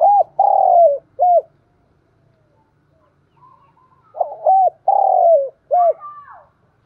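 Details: Cooing of a spotted dove used as a lure for wild doves: two phrases, each a short coo, a long falling coo and a short coo, separated by a pause, followed by a higher rising-then-falling note.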